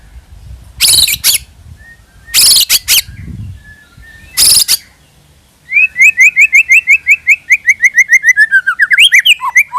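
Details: White-rumped shama lure song: three loud harsh bursts, then a long fast trill of repeated short whistled notes ending in looping slurred phrases.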